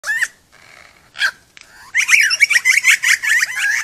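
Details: Wild, non-captive male superb lyrebird just inside a gate near Lakes Entrance, East Gippsland, Victoria, singing a varied medley of his own sounds: a falling whistle, buzzy bursts, then rapid loud twisting ringing notes, about three per second.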